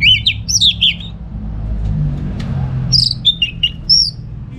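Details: Orange-headed thrush from Singaraja, Bali, singing at home as a lure for other birds: a fast warbled phrase of slurred whistles, a pause filled with low hum, then another phrase of descending whistled notes.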